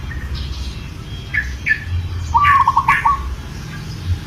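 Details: Single rapid, bead-like trill from a local zebra dove in breeding condition, calling a female, sounding near mid-clip amid short sharp chirps from other birds and a low background rumble.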